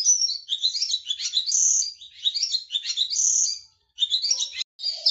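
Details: Lark kept at a bird enthusiast's home in Jiaocheng, China, singing a continuous, rich, high-pitched warble of varied trills, chirps and clear whistled notes, broken by a couple of brief pauses near the end.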